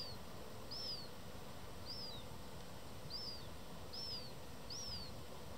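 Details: Juvenile black-headed gull calling for food while the adult has none, recorded 27 July 2024 at Dojlidy in Białystok, Poland: six piercing, down-curving whistled squeals at regular intervals against quiet outdoor hum.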